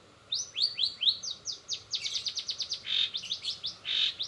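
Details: High, rapid chips from a long-tailed shrike, sung in 'rol spid' fashion with fill-ins from greja BR, greja restu, sogon and kenari, running into a steady roll, then short buzzy bursts.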